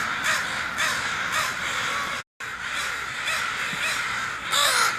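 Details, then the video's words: Several crows caw while flying away. Rough, grating caws come in a steady series, broken once by a brief silent cut, and the final caw rises louder and higher. "Crows CAWING FLYING Off"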